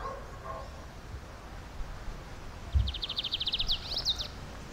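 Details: A wild lined seedeater (Sporophila lineola) sings a fast, high rattling trill of rapidly repeated notes, ending in a couple of sharper slurred notes, over a low background rumble.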